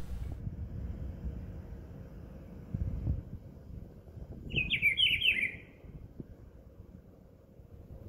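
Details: A Rufous-browed Peppershrike (pitiguari) of Brazil gives one rich, warbled phrase lasting about a second, bright and slightly slurred, with a low background rumble throughout.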